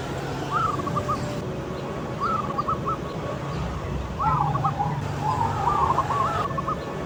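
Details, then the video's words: Outdoor song of a loud-voiced local zebra dove: four rolling, gurgling coo phrases, the later ones longer and more warbled, over a constant low hum. "Perkutut Lokal Suara Besar Manggung di Alam Terbuka"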